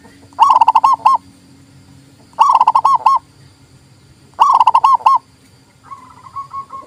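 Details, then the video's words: Local zebra dove song used as a tutor to rouse silent doves and lure others: three bursts of rapid, bubbling coos near one pitch, each about three quarters of a second, roughly every two seconds, then a fainter coo phrase. "TERAPI PERKUTUT MOGOK BUNYI PALING TOP"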